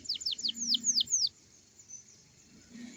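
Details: Canary singing in the morning as a lure to get young canaries singing: a quick burst of six high, downward-sweeping notes, then faint thin whistles over low background rumble.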